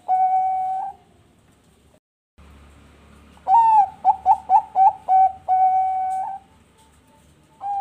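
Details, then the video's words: A long level coo fades into a pause, then the full phrase follows: a drawn note, six clipped coos in rapid sequence and a long sustained coo. Sung by a captive perkutut bangkok zebra dove bred in Bekasi, West Java. "PANCINGAN SUARA BURUNG PERKUTUT BANGKOK MANGGUNG GACOR"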